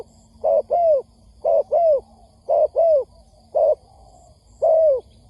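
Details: Trapping lure of a spotted dove: three clear double coos, each a short note then a longer downslurred one, followed by a single note and a final long coo.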